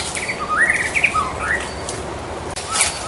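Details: White-rumped shama singing in the wild: a short run of clear, slurred whistles that rise and fall in loose phrases over a steady hiss of background noise.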